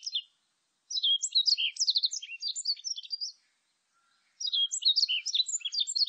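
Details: A warbling white-eye sings in this 2020 National Institute of Biological Resources recording: a long jumbled phrase of shrill twitters and sliding whistles, a silence of about a second, then another rapid high phrase.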